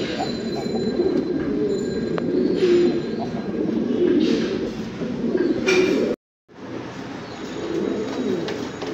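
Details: Fancy pigeons, domestic breeds of the rock dove, cooing together in a steady low murmur of overlapping throaty coos, with a brief dropout to silence partway through.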